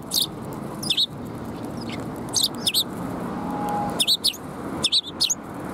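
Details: Fluffed-up sparrows filmed close up on 1 February 2021 give short, sharp chirps in clusters of two or three, spaced about a second apart, over steady low background hum.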